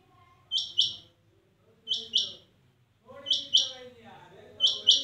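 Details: Female rain quail calling, known locally as Chinga Madi: paired sharp high notes, a double chip repeated about every 1.3 seconds, with low background talking and murmur beneath.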